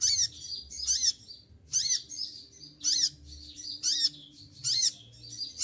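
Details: Olive-backed sunbird singing while moulting, with rapid piercing high bursts, sometimes paired close together, each carrying a small downward curl, repeated steadily over low background hum.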